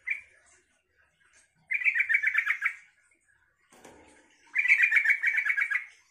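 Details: Yellow-vented bulbul song meant to provoke other bulbuls into replying: two bubbly, rapidly rolling phrases of about a second each, separated by quiet gaps and a brief soft rustle.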